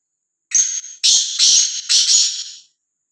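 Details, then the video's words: A fearless, freely roaming black francolin utters a rough, rattling phrase of four notes: a brief opening chip and then three drawn-out harsh rasps, clear and close. "Kala Teetar | Azad Gumna vala Bedar Kala Teetar | Black Frankoline | آزاد بےڈر کالا تیتر"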